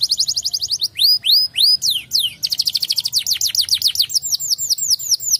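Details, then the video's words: Canary song meant to make other canaries answer: loud high trills of repeated rising and falling sweeps, fast rolling runs alternating with slower looping whistled notes, faint low hum beneath. "Kenari Mana saja Langsung Nyaut dengar kenari ini"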